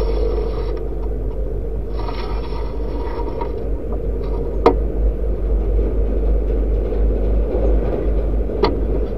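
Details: Steady low engine rumble with a constant drone, vehicle-like noise and a few sharp clanks, with no animal voice heard.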